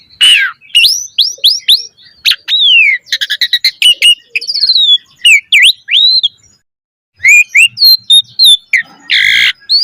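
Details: Lure recording of Asian pied starling song for training caged birds: strings of sharp rising whistles, rapid clicking trills, buzzy notes and slurred calls, a short silence, then more whistles and a harsh burst.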